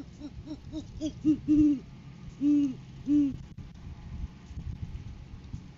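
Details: During courting season, with egg laying due in February, a male great horned owl arrives with food for his mate. Short rapid low hoots lead into three long, deep, resonant hoots, then quiet background.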